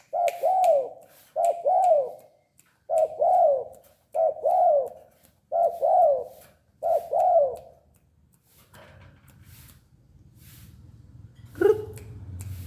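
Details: Tame spotted dove calling steadily: soft, low two-part coos with a rising then falling note, repeated roughly every 1.4 seconds for eight seconds, then quiet room hum and a single sharp click.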